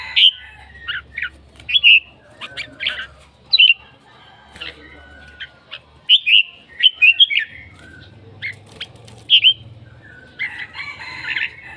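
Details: Red-whiskered bulbul, scattered short whistled and chirped notes spread over several seconds, fairly soft, with low background rumble and faint noise.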